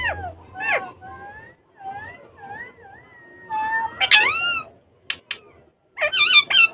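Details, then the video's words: Ringneck parrots talking and playing indoors on a table in Urdu or Hindi: wavering whistled tones and speech-like warbles, a loud harsh squawk in the middle, then sharp clicks and a closing burst of shrill chatter. "Ringneck Parrots Talking And Having Fun On Table In Urdu Hindi"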